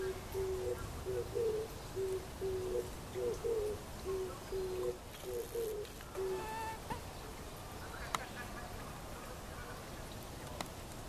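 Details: Oriental turtle dove calling from a tree in Kyoto Gyoen, Kyoto, Japan, in May 2014, gives a run of low, hollow coos in short rhythmic phrases for about six seconds, then falls quiet over faint outdoor noise.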